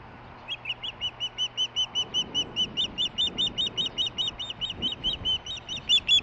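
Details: Chirping of a nearby female osprey being brought a fish, heard but not seen, July 23, 2015: a long, rapid train of thin whistled chirps, swelling in strength and becoming slightly higher and more urgent toward the end.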